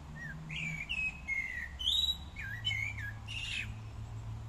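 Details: Common starling in a park on a fine day, pouring out a varied song of sliding whistles, squeals and short buzzy notes, each phrase changing pitch, against a soft low rumble.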